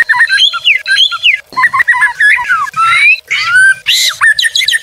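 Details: Murai batu, the white-rumped shama, singing a tutor and lure song: varied loud whistled phrases, some falling and some rising, broken by short harsh bursts and brief pauses.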